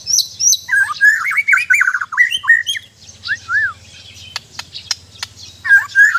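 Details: White-rumped shama (murai batu) from Sabah, Borneo, singing a rich, varied phrase of loud whistled and slurred notes, some rising and falling, mixed with sharp high chips and clicks; a steady low hum runs underneath.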